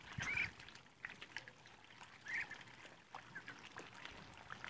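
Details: Muscovy ducks, a group at 52 days old, give soft, breathy hissing and wheezy calls in short bursts, with scattered faint clicks and rustling in the background.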